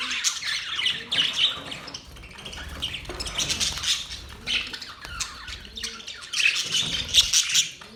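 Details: Budgies in mating song: bursts of harsh squawks and raspy chatter alternate with quieter stretches, the loudest outbursts near the start and end.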